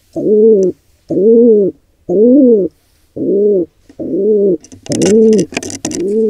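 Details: Pigeon squab in a wild nest under attack from a pair of intruding pigeons, filmed by a birdcam. Steady, harmonic, arching calls repeat about once a second. Scuffling and flapping noises break in near the end.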